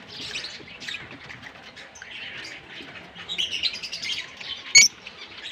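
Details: Green Fischer's lovebirds, a pair, sing in a long run of rapid high chirps and buzzy twitters, nearly continuous, ending with one sharp loud squeak.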